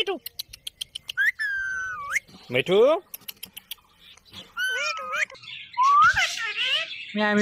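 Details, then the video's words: Green Indian ringneck parakeet talking, repeating "Mitthu" phrases. A rapid run of sharp clicks opens, followed by drawn-out whistled notes, a harsh downward-sweeping rasp and wavering, voice-like syllables. "Mitthu Mitthu Speaking Green Parrot"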